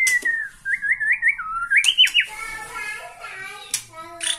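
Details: White-rumped shama from Borneo excited by a rival: repeated wavering whistled notes that rise in a sliding sequence, followed by softer scratchy sounds and faint low murmuring.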